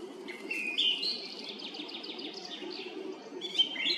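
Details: Evening song of a song thrush perched at the top of a tree near the road to the Red Lakes, Zarechny, 18 April 2021; bright whistled strophe with a rapid trilled run in the middle, then a fresh phrase near the end.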